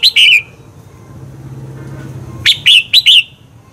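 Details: Red-whiskered bulbul song for stimulating competitive singing: a brief whistled phrase, a pause with a low hum in the background, then four quick, bright, slurred whistles.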